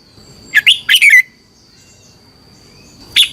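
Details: Red-whiskered bulbul song from Thailand, kept as a caged bird, played to train or excite other birds: two quick bursts of rich warbled notes, then a lone bright phrase near the end, over a faint steady high tone.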